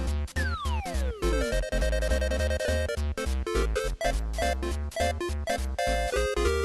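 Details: Lively electronic game-style music with a falling sweep at the start, then bouncy chords and steady beats, with no animal voice audible.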